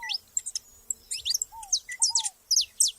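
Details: Group of saffron finches in nature giving loud, sharp high chirps in quick bursts, mixed with short mid-pitched notes and low, smoothly falling whistles.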